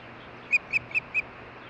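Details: Ospreys, a pair talking at the nest in Hellgate Canyon, Missoula, Montana, June 14, 2015, nest camera. Four clipped, high whistled chirps come about every quarter second against a low steady hiss.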